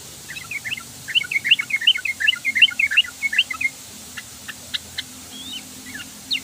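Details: Lively chattering song of a sooty-headed bulbul, a rapid string of cheerful warbled notes for several seconds, followed by sparser sharp chips and upward-slurred calls.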